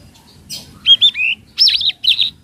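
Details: Lure call of a speckled flowerpecker (tledekan laut), meant for training raw birds: a quick run of sharp, high, twisting chirps in three or four short bursts.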